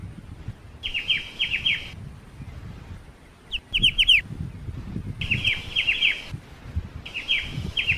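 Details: Ciu, the black-winged starling, sings repeated bursts of bright falling chirps in runs of four or five over a steady low rumble of background noise.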